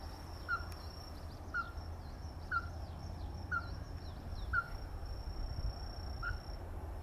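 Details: Ruddy-breasted crake calling: short, sharp knocking notes repeated about once a second over a steady high insect-like whine and low rumbling background noise.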